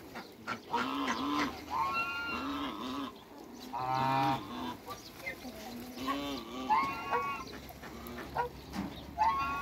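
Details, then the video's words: Two African geese calling in a backyard alongside other waterbirds. A steady series of nasal, buzzy honks runs at an irregular pace, with one louder, brassy blast near the middle and quieter grunting notes around it. "COUPLE AFRICAN GEESE"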